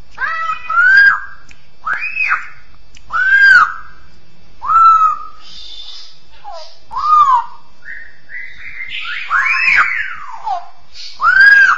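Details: Cucak rowo, the straw-headed bulbul, singing 'ngoceh' style for a tutoring master track: repeated loud mellow whistled arches, then a livelier run of bubbling, rising and falling warbles, and one more arched whistle at the close.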